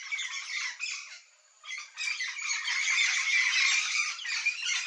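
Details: Harsh, grating squawking from a yellow-faced parrot of central Brazil: rapid rough calls, a short pause near the start, then a dense, steady stream of scratchy notes.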